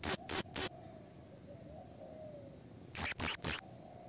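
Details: Blue-crowned hanging parrot giving a lure call meant to provoke rivals: three quick piercing high notes, a two-second silence, then another tight burst of three shrill shrieks.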